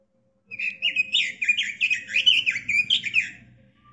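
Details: Robin in a rapid, lively warble of about three seconds, many short looping whistles in quick succession, fading at the end, over a faint hum. Used to tutor cage birds.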